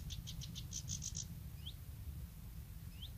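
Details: Bluethroat at Woumen, 2018: a quick series of about eight short, high, ringing notes that grow stronger, followed by two thin rising whistles, over a steady low rumble.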